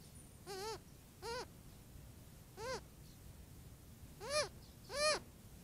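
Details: Young Cooper's hawk at a desert watering hole in hot weather, complaining to its mother, apparently to be fed: five harsh, arched, nasal wails with rich harmonics, spaced roughly a second apart, over a low background hum.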